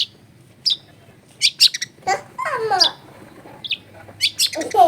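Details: Long-tailed shrike recorded in a busy neighbourhood to prompt a silent shrike to sing; scattered high chirps, then a burst of descending slurred notes, followed by further sharp chirps.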